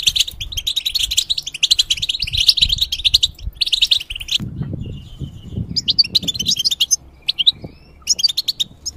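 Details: Caged moulting goldfinch sings a dense twittering song for about four seconds. After a quiet gap with low rumbling, scattered sharp notes and short twitters follow.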